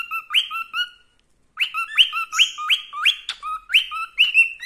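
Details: Contented male pet cockatiel sings "Wiko Wiko", a string of rising whistled phrases with a squawky edge, pausing briefly before resuming the rapid repeated notes.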